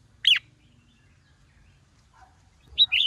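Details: A male red-whiskered bulbul, fired up by a female, gives hót sổ bọng, hót ché song. A single sharp chirp is followed by a long pause, then a quick bright double note.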